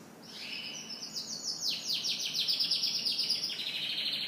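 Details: Morning canary song of rapid rolling trills, quick repeated notes sweeping downward, merging into a dense high chattering series, with faint background hiss.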